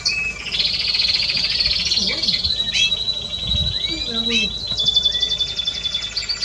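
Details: Spanish Timbrado canary song from 30 May 2017, a long, dense, rolling trill held for several seconds, with a few rising and falling slurred notes and faint low background sounds beneath.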